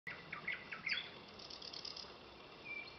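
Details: Common nightingale singing on 7 May 2017 in southern Kalmar County, Torsås municipality, Sweden: a few short varied chirped notes, then a quick run of high repeated notes, faint against steady background hiss.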